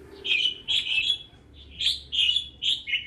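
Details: Red-whiskered bulbul in northern Vietnam gives clear, ringing whistled notes in paired phrases with brief gaps, crisp and bright against a quiet background.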